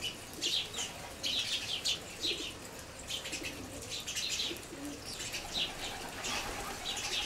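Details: A flock of sparrows on the ground by a seed feeder, part of several groups making a lot of noise together; dense, overlapping chirping comes in irregular bursts, with faint lower sounds underneath.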